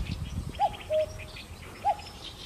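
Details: A common cuckoo (Cuculus canorus), filmed in Korea, gives its two-note cuck-oo, a short higher note dropping to a longer, lower hoot, then starts again, over a faint low rumble and distant chirps.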